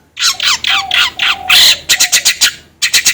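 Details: Long-tailed shrike song used as a lure to get another bird singing fast: harsh, broadband squawking notes in rapid bursts, then a quick series of short rasping chips.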